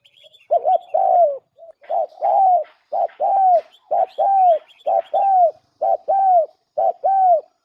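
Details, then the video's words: Spotted dove used as a decoy bird, giving a steady series of low, mellow coos. Each phrase is a short note followed by a longer slurred coo, repeated about once a second, with faint high chirps from other small birds in the background. "suab nquab lauj kaub tawg quaj zoo dib heev nawb, tiếng cu gái mồi"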